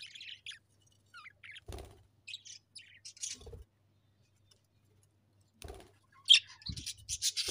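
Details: Pet budgerigars giving short scattered high chirps and warbles between quiet gaps, with a few low knocks or cage thumps.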